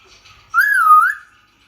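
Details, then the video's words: A lone Indian ringneck parrot whistle, smooth and pure, rising then dipping and rising again over about half a second, in otherwise quiet surroundings. "Indian Ringneck Parrot Sound"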